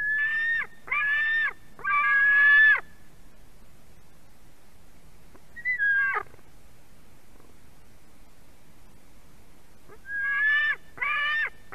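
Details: White-tailed eagle chick at a nest in Durbe, Latvia, screaming as a parent delivers a fish, 31 August 2020 at 4:50 pm, live nest stream: harsh harmonic screams, each opening with a thin whistle, in bursts of three, then one, then two.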